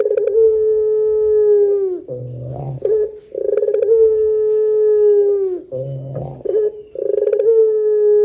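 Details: Barbary dove, loud and clear, cooing to draw other doves into calling: three long level coos, each falling slightly at the end, with deep rumbling phrases in the gaps between them.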